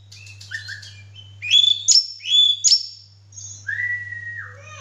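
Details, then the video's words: Oriental magpie-robin in full song while spreading its tail: long, pure whistled notes, some sliding down, mixed with short chirps and two sharp clicks, over a constant low electrical hum. "kacer gacor"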